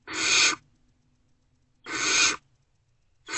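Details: Great horned owl owlets, still not fed, respond to an adult returning to Owl Box C at about 5:30 am on 3/3/24. Two loud, raspy hisses come about 1.8 seconds apart, and a third begins at the end.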